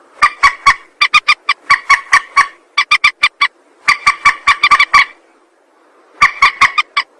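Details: Harsh, ringing rail calls used to lure birds for trapping, given in fast runs of clipped nasal notes that run into a dense chattering stretch, then a pause before a final short burst.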